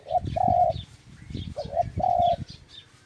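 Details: Two dove phrases, each a short coo running into a longer steady note, with low rumbling noise and faint higher chirps behind.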